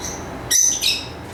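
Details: Lovebird giving two short, bright chirps in quick succession, high-pitched and harmonic-rich, the second slightly longer, over a quiet indoor background hiss.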